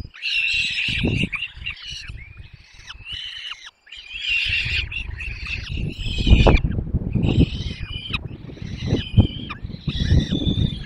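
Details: Peregrine falcon chicks being fed at the nest in the Barycz Valley, Poland, on 6 May 2021, fed for a long time until all were full; shrill, harsh, wavering squeals come in repeated bursts over low rumbling background noise.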